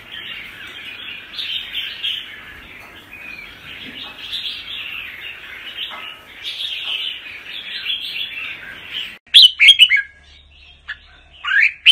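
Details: Red-whiskered bulbul of the apricot 'Mơ' colour form singing in the double-voice 'giọng kép' style. A long blurred wash of warbling comes first, then a few sharp, loud, clear notes near the end.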